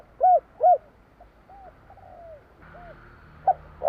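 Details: :Spotted dove (tekukur jawa), 'kuk 3' style song: two loud, arched, hollow coos close together, then a few soft, drawn-out coo notes and a final clipped coo after a steady background tone.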